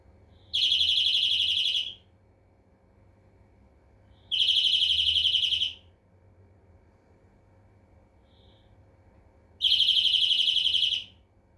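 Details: Three evenly spaced greenfinch trills, each a dense buzzing rattle of over a second at steady high pitch, repeated roughly every four to five seconds, with one tiny isolated note between the second and third.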